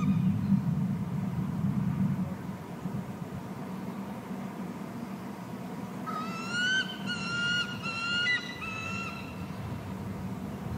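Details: Eagle at the nest during feeding of its eaglets, with fish brought in. Mostly low hum and rustling at first, then about three seconds of quick, high, piping whistles with overtones, stuttered in a rapid chattering run.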